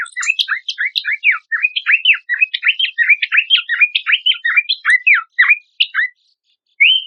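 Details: Horsfield's babbler tutor song for competition birds: an almost continuous, fast stream of sharp, sweeping chirps for about six seconds, then a pause and one rising whistle.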